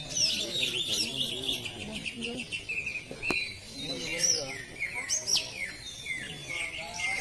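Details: Greater green leafbird, plain class, competing at a South Aceh training contest: bright rapid warbling and high whistled slurs in uneven bursts, one sharp click, with murmured voices beneath.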